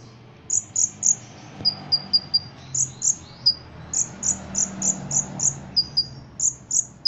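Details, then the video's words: Ruby-cheeked sunbird, a songbird kept for singing contests, delivering a steady stream of high penetrating chips, roughly two or three per second, mixed with slightly lower whistled slurs. The notes are evenly spaced across the whole stretch, with a soft low rumble beneath. "Kolibri Ninja Gacor Isian Jangkrik Kapas Tembak Cililin"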